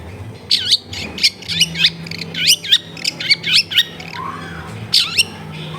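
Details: Captive long-tailed shrike, a therapy track meant to get a quiet bird answering, giving a series of scratchy, squawking slurred notes roughly every half second over a steady low hum from a nearby household machine.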